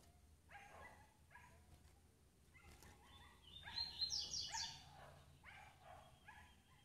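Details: Female double-collared seedeater calling to get males excited; a burst of short, sharp, high chirps clusters mid-clip, surrounded by lower, broken harmonic sounds before and after.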